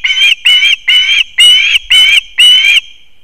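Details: Osprey chicks at a nest in an old leaning pine in Kurzeme, Latvia, September 2024, as the father brings one of the last fish; six longer, strained whistled cries, each slightly rising, spaced about half a second apart.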